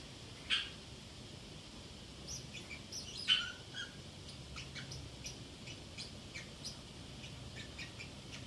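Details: Pet Pacific parrotlet left alone at home, talking to itself: two sharp high chirps stand out, the second near three seconds, with faint scattered high tweets around them in a quiet room.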